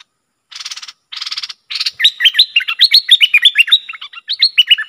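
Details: Bulbul used as a lure bird, worked up against rivals. Two harsh, buzzy rattling bursts open, then a fast run of sharp, rising and falling whistled notes streams on to the end.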